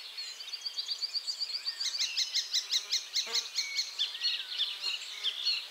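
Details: Icterine warbler pausing from catching caterpillars to sing a lively, rapid sequence of repeated sharp chattering notes and short buzzy phrases, high and continuous, with one brief click-like knock midway.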